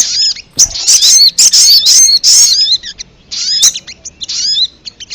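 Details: Ruby-cheeked sunbird lure recording used to draw in wild birds for trapping: dense bursts of very high, thin chirps and twittering trills with short downslurred whistles, separated by brief pauses, about three bursts a second.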